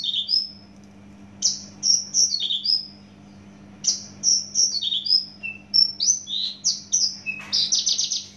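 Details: Javan bush lark of Java origin in loud, fast song: short whistled notes and buzzy slurs, some rising, some falling, in quick bursts separated by brief pauses, over a steady low electrical hum.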